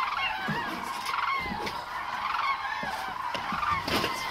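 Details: Chorus of common cranes gathered at Agamon Hula in October 2012; many birds bugling at once, loud rolling trumpet calls overlapping without pause, with scattered sharper higher notes throughout.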